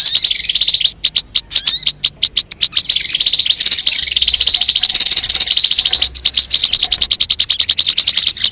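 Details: Sogon lure song: a few sharp high ticks and slurred whistles open into a long, fast, steady stream of buzzy high chattering notes.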